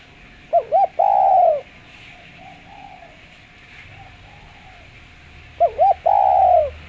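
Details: Spotted dove, clear-voiced lure recording: two quick warbling notes then a long drawn coo, a few faint softer coos between, the full phrase returning about five seconds later.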